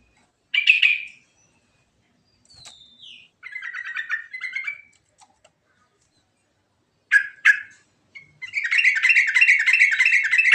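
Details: Yellow-vented bulbul giving a natural rolling song (ngerol) with varied fill phrases, played as a lure: a bright chirp, a falling whistle, and buzzy bubbling runs, then a long warbling rolled phrase at the end.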